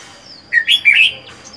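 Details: A lone caged red-whiskered bulbul, caught from the wild four months before, delivers a bright three-part warbled phrase, clear and loud, with faint high chirps before and after.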